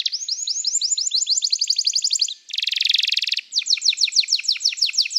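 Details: Canary song meant for training birds: rapid runs of descending whistled notes, a dense buzzy roll in the middle, then more quick repeated falling notes, loud and continuous.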